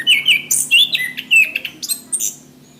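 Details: Orange-headed thrush, a caged bird, song used for training caged birds: a busy run of warbled whistles mixed with high scratchy chips, fading toward the end, faint low hum underneath.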